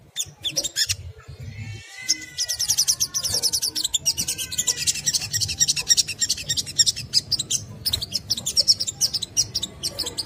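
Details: Crimson sunbird giving a rapid chattering song used to provoke other sunbirds into singing: dense, high, sharp twittering notes in fast bursts, with a low background hum throughout.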